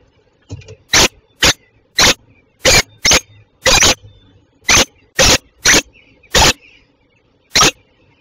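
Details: Peregrine falcon at Westpoint in Tilburg, a Belgian female, 27 June 2024, 08:08 in the morning; loud rasping notes repeated about once a second, roughly eleven bursts with irregular gaps.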